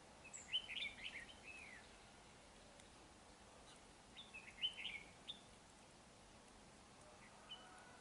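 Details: Red-whiskered bulbul at a trap, singing during a territorial fight; the bird is dark-bibbed. Two bursts of quick, bright whistled chirps, one near the start and one past the middle, separated by quiet hiss.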